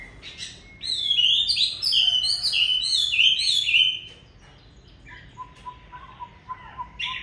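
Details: On a very cold day a Chinese hwamei pours out a fast sequence of bright whistled notes, each stepping up and down, rapidly repeated for about three seconds, then softer scattered notes and a faint steady low tone.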